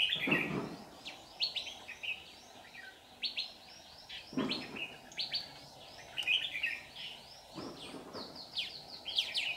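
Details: Red-whiskered bulbul with white cheeks used as a trap decoy, singing to lure wild birds, recorded 15 July 2019: bright whistled phrases of rapid chirpy notes, repeated in bursts, with a few low dull thumps in between.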